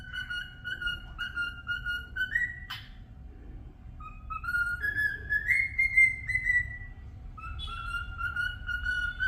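A cockatiel whistles a tuneful song of clear, sliding notes that rise and fall in short phrases.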